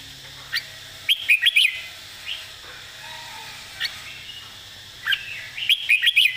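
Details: Red-whiskered bulbul singing a model-style song with clearly phrased, emphasized notes: a burst of chirpy whistles, scattered single notes, then another quick rolling phrase near the end.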